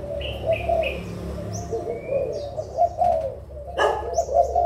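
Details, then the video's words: Adult spotted doves from Malaysia and Thailand, 16 March 2022: soft low coos, with high chirping notes and a brief loud rattling burst near the end. "cu gáy trưởng thành malaysia và thailand"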